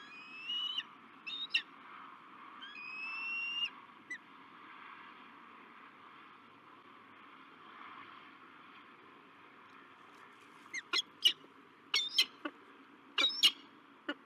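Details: Peregrine falcons at a nest site in La Crescent, USA, a male meeting a new female, 16 March 2023: thin rising whining calls early, then a burst of sharp, clipped chip notes near the end over steady background hiss.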